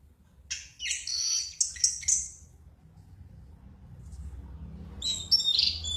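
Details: Heavily 'drunk' (mabuk) Orange-headed thrush chattering: a quick jumble of high squeaky and whistled notes lasting about two seconds, quiet, then another short high twittering phrase.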